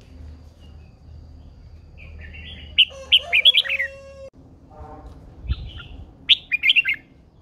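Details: Female red-whiskered bulbul, described as a wild-aged hen kept as an ornamental bird and spurring a male, gives short bright warbled phrases in two bursts, separated by a steady mid-pitched tone, a brief lower tonal sound and background hum.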